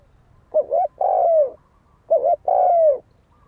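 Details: Close, clear spotted dove fighting coo, used as a lure to provoke fighting: two phrases about one and a half seconds apart, each a short two-part note leading into a long, smoothly falling coo.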